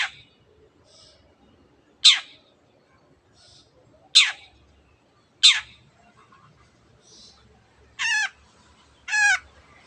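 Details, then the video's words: Long-tailed shrike calling: three loud rasping downward notes, then two nasal, harmonic, wavering calls near the end, with faint chirps in the background. "cendet gacor teot teot"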